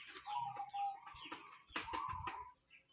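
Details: Local zebra dove giving an unusual call: a run of short, clear cooing notes held around one mid pitch, with brief clicks and a few soft higher chirps in between.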